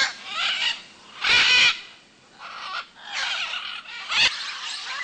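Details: Greenwing (Red-and-Green) macaws in the wild over a clay lick in Manu, Peru, give harsh, raspy screeches: two loud bursts about three seconds apart, with softer grating squawks from other birds in between.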